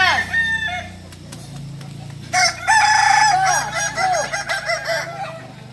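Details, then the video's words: Kukuak Balenggek rooster, Solok's native singing chicken, training for crowing performance; a loud, sustained multi-syllable crow with downward-curving notes, preceded by a softer crow and clicks. "Latihan prestasi Ayam kukuak balenggek ayam penyanyi asli Solok"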